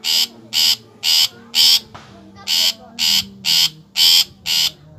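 Long-tailed Shrike giving harsh, grating rasps, about two each second in a steady rhythm, with a faint low hum underneath.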